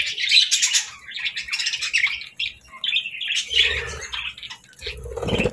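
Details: Happy budgies chirping and singing with rapid scratchy warbles, clicks and squeaky notes, some passages softer, with rustling thumps in the background.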